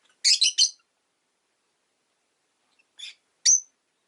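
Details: Pet rosy-faced lovebirds, five kept in a cage by a window on a winter day, give a quick burst of three sharp, high, buzzy chirps, then two more separate chirps after a pause; otherwise quiet.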